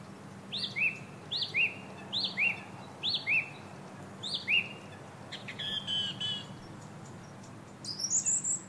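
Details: A song thrush at Variko, Pieria, Greece, in 2022 repeats one bright, swooping whistled phrase about six times in quick succession, then switches to scratchier, higher phrases.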